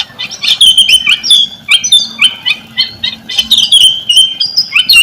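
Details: White-rumped shama song played as a lure to set silent or sluggish shamas singing: loud, clear whistled phrases and chattering notes in rapid succession, bursts roughly every half second, over a faint low hum.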